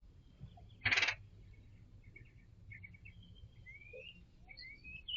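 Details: A male red-headed woodpecker calling repeatedly while perched on a balcony railing beside bird feeders gives one loud, harsh, raspy burst. Faint chattering notes and thin rising whistles follow over low background rumble.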